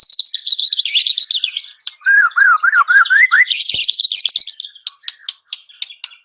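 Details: White-rumped shama (murai batu) in full song, with dense high twittering, a run of looping whistled notes rising and falling, then scattered sharp chips.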